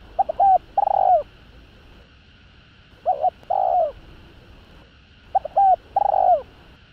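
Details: Spotted dove in the 'hạp bổi' voice, used to provoke rival males: three cooing phrases about two and a half seconds apart, each a short double note followed by a longer, drawn-out coo that dips at the end, over a faint steady hiss.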